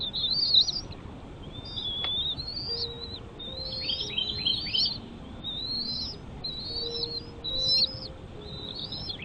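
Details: Shrill piping from a bald eagle nest holding chicks: rising-then-dropping whistles in regular bursts roughly every second, some overlapping, with a quiet steady hum below.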